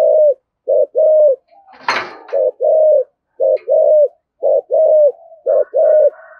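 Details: Spotted dove in thổ sấm style, thúc gù and calling coos: steady low pairs of a clipped note then a drawn-out falling coo, about five pairs, with one brief sharp noise burst early on.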